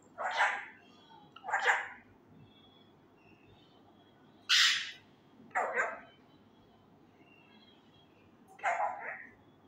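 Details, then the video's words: Young untrained male Indian ringneck parakeet kept as a pet, loudly trying to learn words such as "kia howa" and "kia hogaya": five harsh, speech-like bursts spaced irregularly a second or more apart, some shrill and high, others lower and hoarse. "MY Talking Raw Male parrot try to learn words loudly (kia bol rha ho me,kia howa,kia hogaya,Mithu he"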